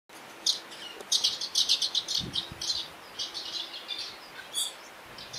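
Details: Eurasian crag martins in Portugal, a year-round resident, giving clusters of short, high, dry chirps in quick runs, mostly in the first half, over a steady background hiss.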